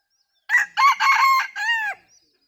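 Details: Bantam rooster kept as a decoy chicken, crowing in a style likened to laughter: four choppy, harmonic bursts, the first three short and stuttering, the last a longer note that dips at its end, against a quiet background.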